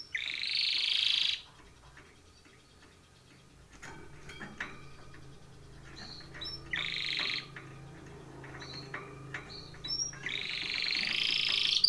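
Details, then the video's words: Timbrado canary training song: short bursts of dense rolled trilling separated by quieter stretches of soft notes and clicks, with a final loud rolling phrase. "TIMBRADO canary singing / canto Canario cantando / canary training song"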